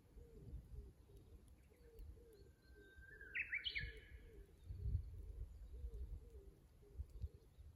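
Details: Japanese bush warbler singing at a tank road in Kusu, filmed by a fixed camera, dated 25.04.24: a long steady whistle, then a quick rising flourish of sharp notes. Soft repeated cooing runs below, over a low rumble.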